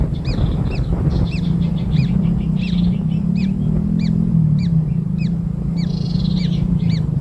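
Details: Kingfisher hatchlings being fed black insects keep up a stream of quick arched peeps mixed with brief rasping bursts, over a strong steady low hum.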